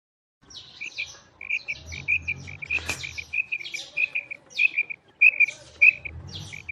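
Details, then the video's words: Female quail calling: paired short, clipped notes repeated steadily, about one and a half pairs per second, with a sharp click partway through and faint low rumbling underneath. "FEMALE BATAIR SOUND / BUDANA OVOZI"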